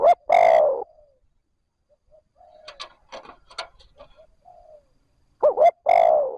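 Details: Spotted dove decoy calling trơn ròng to lure wild birds. A long coo opens the clip, then comes a stretch of soft, clicking, stuttering notes, and it closes with another full phrase: a double hoot and a drawn-out descending coo.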